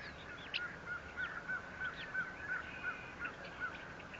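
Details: Bald eagles at their nest 57 feet off the ground at the Fort St. Vrain site, filmed by a live camera on 14 April 2024. A fast string of short piping notes, about three per second, rises over steady hiss, with faint higher chirps.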